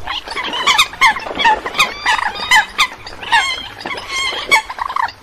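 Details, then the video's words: Eurasian coot calls used as a lure for night net trapping during the 2022 migration season: loud, overlapping nasal honks and squeaky yelps from several birds in quick irregular bursts. "Tiếng Sâm Cầm Bẫy Lưới Đêm Vụ Chim 2022"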